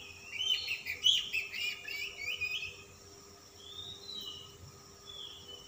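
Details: Insistently singing Oriental magpie-robin, calm type, with rich song content: a busy run of scratchy, twittering mixed notes, then a few quiet sustained whistles spaced apart; steady low hum beneath.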